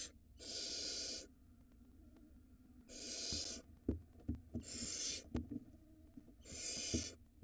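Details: At an Israeli barn owl nest under a live camera, the male passes a mouse to the female for the nestling; four drawn-out breathy hissing bursts, each under a second, arrive at fairly even intervals, with soft thuds and scrapes between them.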